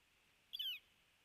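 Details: A male Northern flicker of the Red-shafted subspecies, at an osprey nest in Missoula, Montana, on 18 October 2017, gives one loud, harsh, slightly falling call of about a quarter second over faint background hiss.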